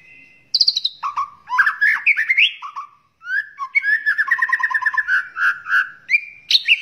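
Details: White-rumped shama in full song, recorded for training other birds; a varied, melodious run of fluty whistles, slurs and rattling trills, shifting between low and high phrases.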